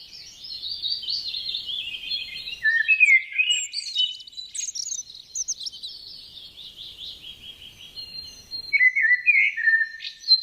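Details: Garden birdsong, a continuous high twittering warble of rapid chirps and trills lasting about ten seconds, with brief louder bursts near the start and end and a quiet background.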